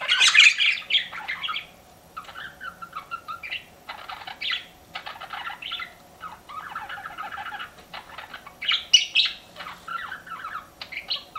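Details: Pet budgerigars give scattered bursts of scratchy warbling and chirps separated by short gaps, against a faint steady background hum.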